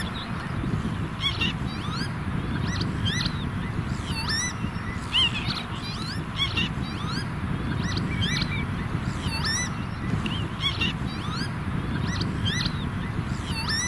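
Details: Northern lapwings with chicks, chasing off a redshank in meadow-bird grassland, give repeated wheezy, slurred calls that sweep up and down, several every second, over a steady low rumble of wind.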